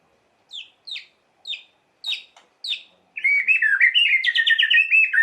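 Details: White-rumped shama song used to provoke emotion: five separate falling whistled notes near 4k, then a rapid dense warbled trill sweeping between mid and high pitch for two seconds.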